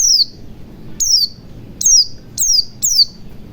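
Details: White-eye sound in forest style, to make a quiet white-eye sing and open its beak: five loud, thin, sharply falling notes spaced about half a second to a second apart.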